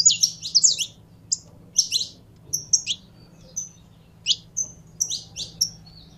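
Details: Saffron finch kept by a bird-keeper, being warmed up: clusters of piercing chirps alternating with thin drawn-out whistled notes, delivered in uneven bursts over a faint steady hum.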